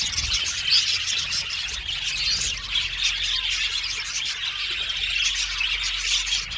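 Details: Blue male budgerigars calling together in an aviary, rapid high chirps and squawky chatter overlapping without a break, with occasional whistled notes rising above and a faint low rumble.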